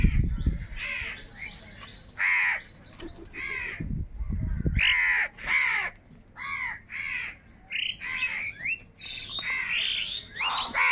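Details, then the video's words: Gathered crows fight for food with a mix of loud hoarse caws and shorter squawks, several birds overlapping, while low thuds and knocking sounds appear early on. "Crow Birds Unity Anger and Sound | All types of Crow Sounds | কাকের ডাক Crow Sound Loudly"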